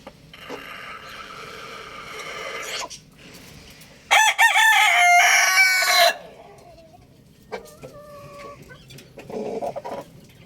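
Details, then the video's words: A young rooster gives a loud, strained crow of about two seconds, preceded by a longer hoarse call and followed by quieter clucks and brief tonal notes. "Adorable rooster crowing sound effect | Amazing rooster Crowing Loudly"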